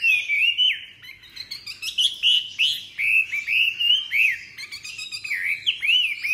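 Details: Chinese hwamei in captivity delivering rich whistled song: looping arched notes and slurs in quick succession, about three phrases per second, bright and varied, with a quiet background.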